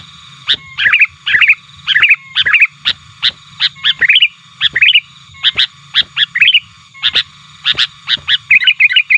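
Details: Sooty-headed bulbul challenging rivals, played to lure wild birds: short gurgling phrases repeated roughly every half second, each preceded by a sharp click, over a steady low hum.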